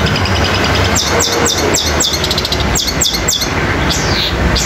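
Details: Long-tailed shrike song used as training material, combined with nature sounds in a fast, fighting style: rapid runs of sharp descending chirps, some doubled, over a constant loud background of hiss and low rumble.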